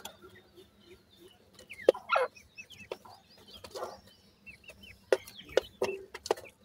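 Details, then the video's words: Francolin (teetar) chicks at their food make soft, high, curved peeps between sharp clicks, with two loud scratchy bursts. "chicks teetar bird feeding"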